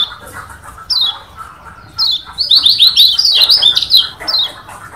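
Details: Varied song of a Lombok yellow white-eye, meant to rile up rivals: scattered high downslurred notes leading into a rapid rolling series of bright warbled phrases, over a faint steady background hum.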